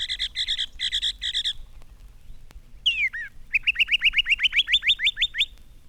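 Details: Northern Mockingbird on a telegraph pole, its song resembling a brown thrasher's but repeating note groups three or four times; three clustered doubled chirps, a sweeping slurred note, then a rapid run of about a dozen upswept whistles.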